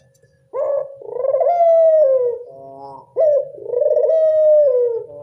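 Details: Local Barbary dove calling as a lure to attract doves: a sharp rising note runs into a long, rolling, vibrating coo that slowly falls, then a second phrase begins about two and a half seconds later.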